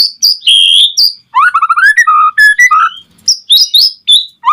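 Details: Loud White-rumped shama singing to provoke other shamas into answering: a long pure whistle, then a brisk series of rising slurred notes and varied whistles ending in high chattered phrases.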